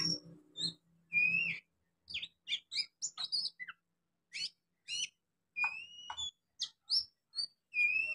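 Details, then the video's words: Young wild oriental magpie-robin beginning to sing: scattered whistled notes and short buzzy, rising and falling phrases in broken bursts, with a low hum early on. "Kacer Muda mulai bunyi"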